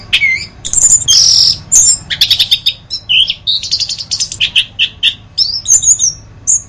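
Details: Orange-headed thrush singing in a masteran tutor recording: a buzzy rasping burst, then rattling trills, sweet rising whistles and thin high notes in rapid succession, ending with scattered single whistles.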